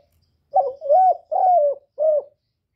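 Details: Kept spotted dove singing as a decoy to stir other doves into calling: a single four-note phrase of soft, hollow coos, the middle two long and level, the last short and dropping, with silence around it.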